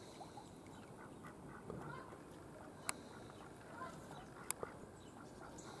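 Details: Domestic ducks on Hendre Lake at St. Mellons, with a few soft quacks rising from low background rumble, broken by two sharp clicks.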